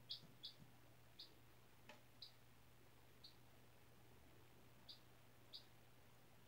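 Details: Chicken chick aged four days, indoors on fresh bedding after hatching April 17 in a school incubator; seven thin high peeps scattered across the clip, with one soft tick and a low background hum.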